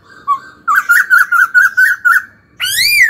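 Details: Laughingthrush song in training: a fast, even series of about eight short whistled notes, then a loud, harsh, rising and falling call.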